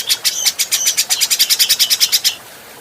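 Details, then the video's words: Adult grey-cheeked bulbul recorded for training other birds: a fast run of about fifteen bright, clipped notes with buzzy overtones, evenly spaced, lasting just over two seconds before stopping. "Masteran Burung Cucak Jenggot"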